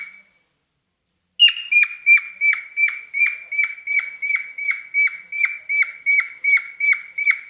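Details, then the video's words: Pet cockatiel in mating mood, indoors, singing a rapid series of repeated notes, each a sustained whistle ending in a sharp downward flick, about three per second after a brief opening whistle and a pause. "the singing cockatiel"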